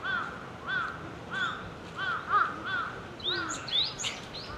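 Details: Wild Java sparrow singing: a series of short arched chirping notes repeated about every half second to second, then higher thin rising whistles toward the end, over steady background hiss.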